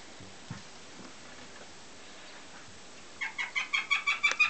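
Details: Young female goshawk, a German x Finnish cross hatched in 2009, bursting after three quiet seconds into a fast, even series of sharp, clipped notes, about three per second, growing louder.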